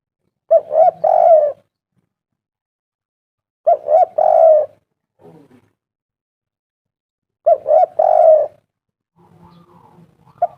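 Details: Zebra dove coo phrases, used as a lure to get other doves to call. Three bursts of quick stuttered hollow coos come about every three and a half seconds, with a faint low murmur between them.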